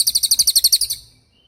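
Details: Tembakan-style cililin song for training songbirds: one shrill, high-pitched trill of about twelve fast, even pulses lasting a second, ending abruptly into silence.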